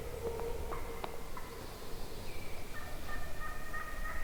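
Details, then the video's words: Wild turkey hens in a big flock at morning: a few clipped clucks at first, then drawn-out whistled notes that step from high to lower pitch and hold, with faint low background noise. "REAL Hen Turkey Vocalizations"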